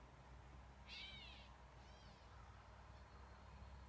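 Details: A Gray Catbird, a common yard bird, gives a husky, slurred mew like a cat's meow, then a fainter second mew, over a steady low hum.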